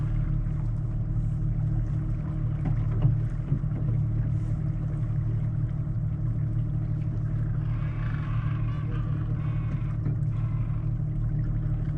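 Steady low rumble of a boat engine with hissing water and mechanical noise throughout, no animal voices heard.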